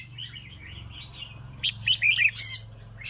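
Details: Red-whiskered bulbul in the evening, first soft twittering, then a louder burst of short, slurred whistled notes near the end, with a constant low hum beneath.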